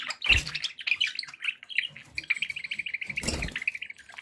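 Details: Budgies kept as pets give a run of bright chirps settling into a rapid, even series of short tweets, with a couple of soft thumps and a scratchy burst near the end.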